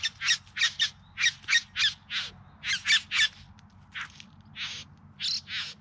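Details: Bowerbird song during courtship display in the Yarra Valley outside Melbourne, September: rapid series of harsh, scratchy squawks in irregular clusters, some notes doubled, then drawn-out buzzy rasps toward the end.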